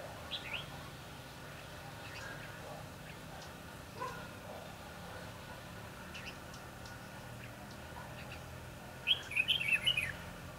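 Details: A decoy red-whiskered bulbul during trapping on 22 December 2015. Long quiet stretch with soft knocks and background hum, then a sudden lively cluster of sharp, bubbling whistles lasting about a second.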